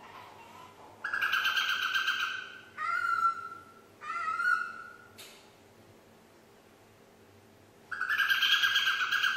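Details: Nine-month-old female pet parrot learning Yankee Doodle whistles a held note, two short rising slurred notes, a quick upward sweep, a pause of nearly three seconds, then another long steady whistle.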